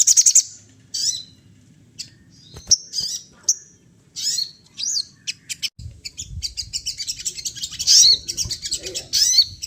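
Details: Sunda laughingthrush mimicking the calls of other birds, giving scattered sharp high chirps and short twittering bursts, growing into denser chattering toward the end, with faint low rumbling behind.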